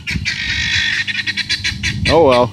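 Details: Guineafowl in a front yard, yelling at a dog, keep up a fast rasping chatter of short harsh notes. A person's voice joins near the end.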